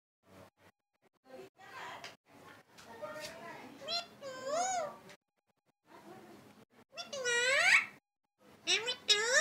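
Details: Pet parrot talking indoors, saying "mithu maa": short broken syllables lead into wavering, strongly tonal rising and falling calls near the middle, then a loud sweeping phrase and a final burst; quiet voice-like murmurs between.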